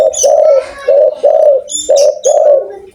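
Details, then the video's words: Spotted dove from Indonesia with a loud voice, calling steadily: deep, mellow coos in short phrases of two or three notes with gaps between them, and thin high chirps from small birds over the top. "tekukur gacor suara besar"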